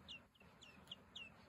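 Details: Lavender guineafowl keets kept indoors on a rainy day, soon to move outside beside broody hens; short high descending peeps repeated about every quarter second, fairly faint over a low background hum.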